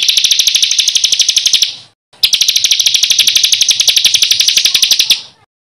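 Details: Songbird master recording for teaching contest birds rough rolling phrases: two long, very fast, harsh, buzzy rattles, each lasting about two to three seconds, separated by a short pause.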